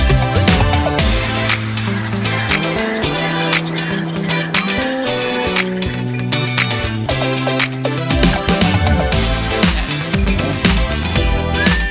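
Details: Loud music with a steady beat and deep bass runs throughout, with no animal heard.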